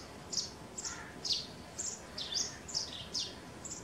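Sparrow chirps: short, bright, high-pitched notes given about every half second, slightly irregular, over a soft background hiss.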